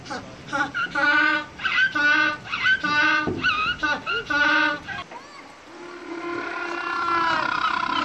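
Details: African penguin (Spheniscus demersus) gives a run of short, nasal, harmonic honks, then a longer drawn-out braying note that swells toward the end.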